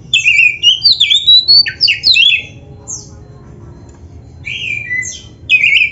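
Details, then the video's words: Oriental magpie-robin singing a gacor master song meant for caged birds: a loud burst of jumbled whistles and slurs, a long quiet gap with a single high note, then a fresh whistled phrase. "MASTERAN KACER GACOR FULL ISIAN JOS"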